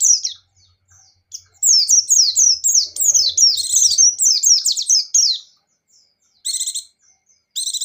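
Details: Buxtoni white-eye (pleci) singing in vigorous gacor and ngecir style: a dense run of high, rapid chirps and downslurred notes packed into nearly four seconds, then short buzzy trilled bursts after a pause, with a faint low hum early on.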